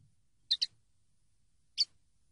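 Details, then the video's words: Common linnet song notes from a training recording: a quick pair of bright, chirpy high notes, a pause of about a second, then one more matching chirp, against a quiet background. "CD CANTE DE PARDILLO 123"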